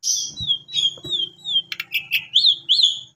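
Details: Lure song of an Asian pied starling meant to get sulking or stressed caged birds singing: a fast, varied string of whistled slurs, buzzy bursts and rising-falling chirps with almost no pause, over a faint low hum.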